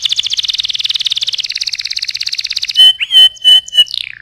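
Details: Singing canary, played as a master song for teaching other birds: a long, rapid, even trill that drops slightly in pitch halfway, then a few loud pure whistled notes and a falling slur.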